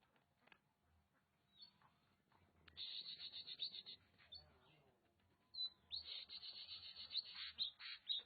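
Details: Kacer (Oriental magpie-robin) in Nagan Raya, Aceh, giving long, rapid buzzy trills of high notes, roughly two per second. A quieter, scratchy passage sits between two trill bursts, with a few thin upslurred whistles and low background murmur.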